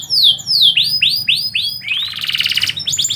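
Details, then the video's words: Midday canary song with two falling whistles, a series of rising swooping notes in steady rhythm, then a rich buzzy warbling roll and a few sharp high notes at the close. "KICAU BURUNG KENARI - DISIANG HARI"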